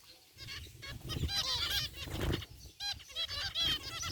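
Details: Aviary zebra finches, white and gray, calling together: dense overlapping nasal honks and beeps, rich in overtones, in nearly continuous chatter, with a low rumble underneath.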